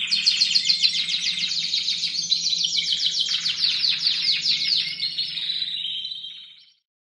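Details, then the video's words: Young caged Timbrado Español canaries in competition-cage training, late October to early November 2015: loud, fast pulsed trills in unbroken runs, pitch dipping midway, fading out at the end over a faint hum. "Εκπαίδευση νεαρών Timbrado Español"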